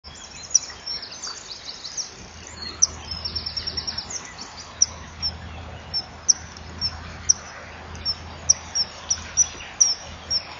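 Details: Common kingfisher pair at a breeding-wall nest, 25 March 2016 at 08:06, chipping to each other before the male flies to the female to mate but hesitates: sharp, very high chips, singly or in runs, a brief trill near the start, low hum.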